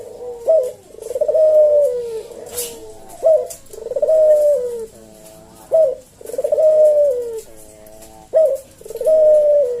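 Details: Collared dove, puter jawa, singing its melodious kuk deruk phrase at an unhurried slow senggang pace for use as a tutor and lure; short note plus long falling coo, repeated steadily about every two and a half seconds.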